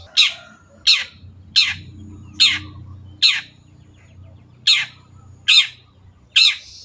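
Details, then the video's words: Long-tailed shrike repeating a loud, harsh, rasping note that sweeps downward, about once every second, eight times, spaced fairly evenly. "MASTERAN BURUNG CENDET GACOR"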